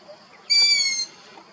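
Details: A single sharp, high squeal from a young long-eared owl in Abruzzo, Italy, lasting about half a second with a slight downward slide, set against steady outdoor hiss and faint rustling.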